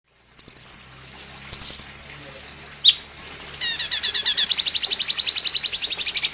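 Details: Greater green leafbird master song used to prompt caged birds to sing. A few high chip bursts open into a fast, even run of sharp repeated notes.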